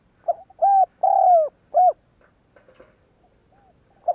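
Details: Spotted dove calling, used as a lure to provoke other doves to coo: a short hiccup note, then a smooth coo, a long falling coo and a brief final coo, followed by faint scattered notes in quiet surroundings.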